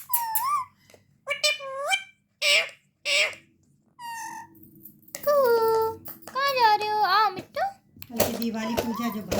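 A ringneck parakeet talks in short, high, squeaky speech-like phrases, then a faster run of chattering word sounds, with a faint indoor hum underneath.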